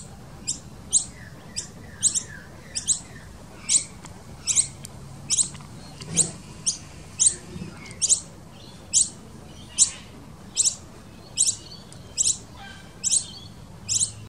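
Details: Noisy miner nestlings being fed in a nest built in a tree-fern hollow in a Sydney garden give thin, shrill, high-pitched begging squeaks, about one every two-thirds of a second, steady and insistent over a soft background hum.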